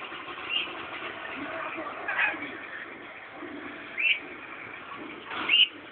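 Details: Scaly-breasted lorikeet giving short, sharp rising chirps, about four across six seconds at uneven gaps, over a steady hiss of indoor background noise.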